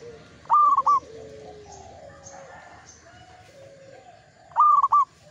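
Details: Local zebra dove singing in Mataram ngepat rhythm: two loud phrases, each a long coo followed by two short coos, about four seconds apart, over soft background whistles from other birds.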